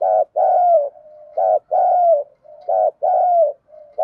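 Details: Female decoy spotted dove calling to attract males: a steady series of two-part coos about every 1.3 seconds, a short note then a longer sliding-down note, with soft low hums between.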